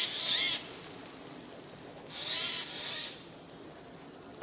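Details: Eurasian jays perched out of sight in spruces, September 2024: two separate hoarse, scratchy screeches about two seconds apart over a quiet background.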